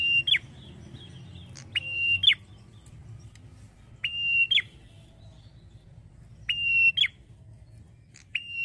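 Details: Singing male red-headed prinia in a long, flowing song: a series of flat, clear whistles, each closing with an abrupt downward twist, repeated roughly every two seconds in irregular pairs over a low rumble.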